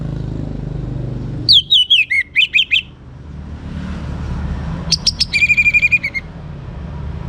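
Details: Young orange-headed thrush in full song, used to prompt other birds to sing boldly: two bursts of whistled notes, the first slurring down through rapid trills, the second a fast stuttering run ending in sustained whistles, over low background rumble.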